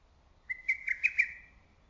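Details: In early summer a lesser cuckoo calls loudly among forest trees: one quick phrase of five sharp whistled notes, the first drawn out and the rest punchy and rapid, ending with a short fading tail.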